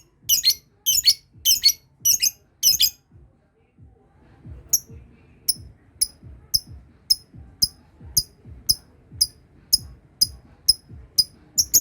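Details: Lovebird practising ngekek, the long trill, with other birds stirred into calling: four shrill, scratchy chatter bursts in quick succession, a pause, then sharp high clicking notes repeated about twice a second.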